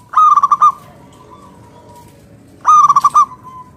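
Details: Zebra dove of the local type, singing to draw other doves into answering. Two loud phrases, each of five or six rapid clipped cooing notes, come about two and a half seconds apart, with a soft trailing tone after each.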